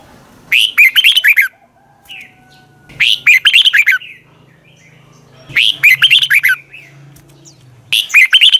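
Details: Red-whiskered bulbul singing in the morning, a long twisted double-voice training song: four loud, quick warbling phrases repeating roughly every two and a half seconds over a soft low hum.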